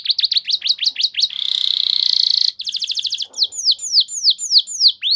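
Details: Canary song for lure training: fast repeated notes, a buzzy continuous trill, quick notes, then loud descending whistled sweeps about twice a second.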